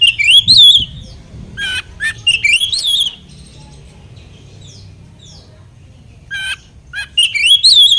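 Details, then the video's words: Oriental magpie-robin (kacer) song used to provoke other magpie-robins, with wavering warbled whistles and harsh notes in bursts, separated by a long quiet gap. "pancingan kacer macet bunyi agar respon pancingan burung kacer"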